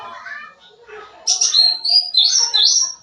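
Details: Sooty-headed bulbul in lively full song, rich in varied phrases, used as a lure for young birds; soft low warbled notes open, then loud, high, clear whistled phrases rising and falling in quick succession.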